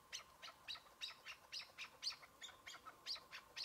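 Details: Chukar partridge during a spring hunt in patchy snow, season just opening, a single partridge: sharp, high chirping notes repeated about three times per second, steady and even, with no other clear sounds.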